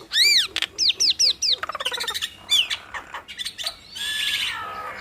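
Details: Nias hill myna duet with loud arched whistles repeated in quick succession, then a stuttering run of clicks, scattered squeaky notes, and a closing harsh buzzy squawk.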